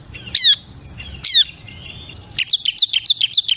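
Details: Bar-winged prinia of the crystal type: two separate loud, harsh, buzzy notes, then a quick series of bright, high, down-slurred chips.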